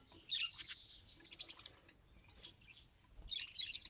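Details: Pet budgerigar trying to talk, rapid quiet chirping chatter of high scratchy notes, densest at the start and end.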